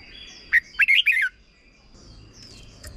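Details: Red-whiskered bulbul singing a short 'double' style song, used for young birds to copy: one quick phrase of four or five bright, slurred whistled notes, then faint thin high whistles in the background.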